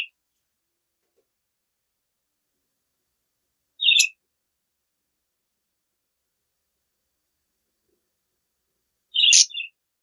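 A budgerigar gives a few short, sharp chirps separated by long silent pauses.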